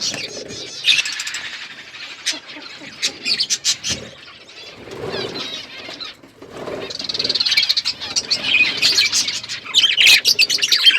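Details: Budgerigars flocking in an outdoor aviary: scattered sharp chirps and soft warbles that build into a dense, high twittering chorus toward the end.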